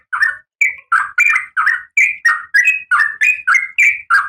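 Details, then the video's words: Female oriental magpie-robin in breeding condition calling the male, a steady series of about thirteen harsh, slurred chirps, alternating higher and lower, delivered roughly three per second. "Suara Kacer Betina"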